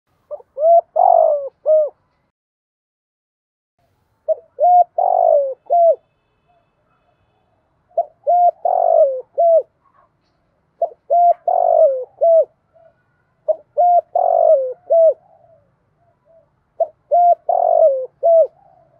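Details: A spotted dove gives its calling coo: soft, hollow phrases of three or four notes, repeated every few seconds.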